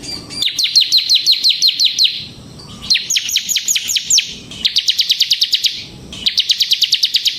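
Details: Bar-winged prinia in continuous song, a kept bird used as a lure and song tutor for other prinias: four dense runs of rapid, high, ringing chips, each run slightly different in pitch and pace.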